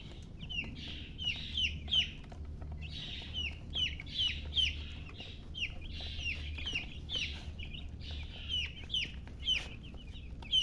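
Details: Chicks chirping: thin high peeping notes, several per second, some with upward or downward slurred whistles, continuing steadily over a low background hum.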